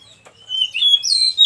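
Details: Oriental magpie-robin, described as a wild bird and used as master song to coax stressed caged birds into singing: a short clear whistled phrase, a steady note sliding into a louder, brighter rising flourish.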